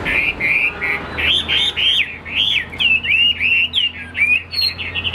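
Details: Caged Chinese hwamei offered for sale, noted for tail-fanning, wing play and an upright stance; bright, fast warbling of looping whistled phrases, rising and falling, with short pauses between bursts and a steady low hum.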